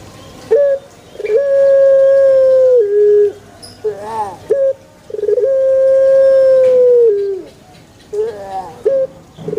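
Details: In a banana plantation, a pelung chicken gives two drawn-out, even-pitched crows of about two seconds each, ending in a downward slur, separated by short broken calls and quieter gaps.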